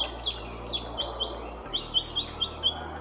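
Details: Northern Mockingbird, Florida's state bird, in a Florida backyard: bright, high chirping notes repeated in quick pairs, about one every half second, over a steady low hum.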